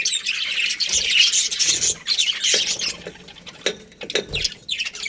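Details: Budgerigar breeding pair chirping in uneven bursts: scratchy high twitters and squeaks broken by short pauses and a few sharper notes.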